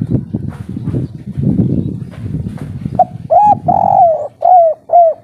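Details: Spotted dove of local stock, kuk 3 song type, in breeding condition: after about three seconds of rustling and scraping, loud resonant low coos begin, a short note then three longer ones in steady succession.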